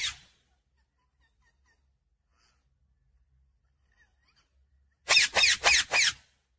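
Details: Talking parrot: a brief squawk at the start, then long silence, then four loud, rasping screeches in a rapid even series.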